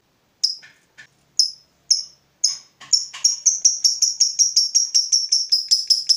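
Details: Fighter lovebird provoked by a rival: a few scattered sharp chips, then a quickening run of high clipped notes settling into a steady fast ticking trill.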